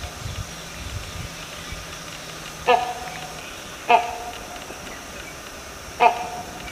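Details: Great hornbill calling with three abrupt, raucous barks at uneven intervals of one to two seconds, preceded by a low droning hum and quiet background.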